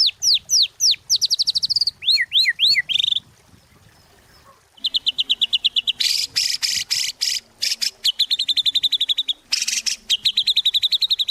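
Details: White-rumped shama lure song: quick downward-slurred whistles and a trill, a short quiet gap, then long stretches of fast, harsh, buzzy rattling trills with clicks.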